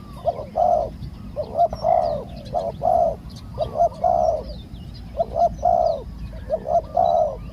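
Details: Spotted dove used as a live decoy to lure a wild dove into capture, the wild one small-voiced and slow to come down; low hooting coos in two- to three-note phrases, each ending in a longer rolling note, repeated steadily.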